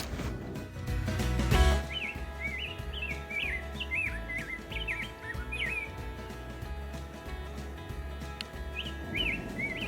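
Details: A male Rose-breasted Grosbeak, arriving in early May and singing from a high treetop branch, gives a sweet, rolling warble of quick whistled notes that rise and fall, like a hurried robin, with soft background music throughout.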